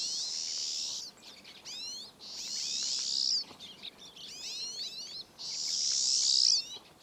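Pine Siskin: four long, buzzy, high zhree notes, each about a second and swelling to an emphatic finish, with quick twittering chatter between them.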